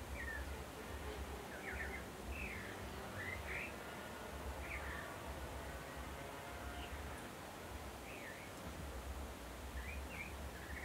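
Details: A tropical mockingbird (Mimus gilvus) in Costa Rica sings varied short phrases, warbled, slurred and chirped, a second or two apart, over a heavy low rumble of wind or distant traffic.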